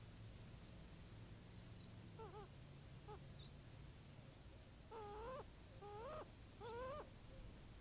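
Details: At an early-morning watering hole in Tucson, Arizona, an adolescent Cooper's hawk and its mother drink; one gives about five whiny, rising, nasal calls, the last three longer and louder, over a steady low hum; finding: Cooper's hawk.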